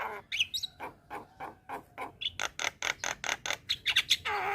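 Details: Javan myna (jalak kebo) song, lively and energetic: a long run of rapid, harsh chattering and clicking notes, about two or three a second, with a few whistled notes, ending in a broad raspy squawk.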